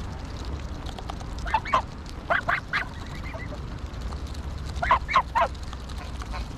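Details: Several bouts of loud, nasal honking from greylag geese at Pearson Park in Hull, England, 22 August 2021, captured with a GoPro Hero9. Groups of two or three calls are separated by quieter gaps.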